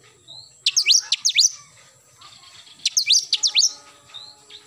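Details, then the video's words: Oriental magpie-robin singing actively in the morning: two bursts of rapid, high, sharply down-slurred whistled notes, each burst a quick run of four or five strokes, separated by about two seconds of quiet with a faint background note. "KACER GACOR pagi hari nembak"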